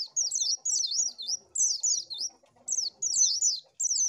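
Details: Lure song of an Oriental white-eye: shrill, tumbling twitter of fast wavering notes in short bursts roughly every second, with a clean background.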